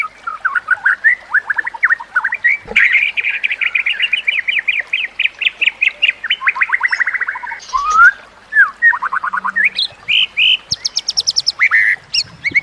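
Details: Training song of a white-rumped shama for teaching other shamas, with nature sounds and trickling water: long rapid trills of repeated clipped notes, a sliding whistle, then more trills and high buzzy bursts.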